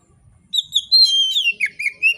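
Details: Oriental magpie-robin singing freely and relaxed, meant to trigger other magpie-robins: a brief phrase of clear whistles with a sustained high note sliding down into lower, chirping notes.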